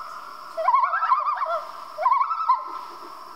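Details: Common loon at night giving quavering tremolo calls, fast wavering notes in two bursts about a second and a half apart over a steady background hum.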